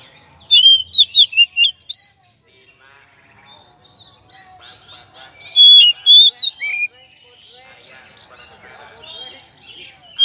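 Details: Kacer, the oriental magpie-robin, singing a lure song: two bursts of sharp, varied whistles and squeaky slurred notes, about seven notes in each burst, separated by softer, fainter chirping with a faint high hiss behind.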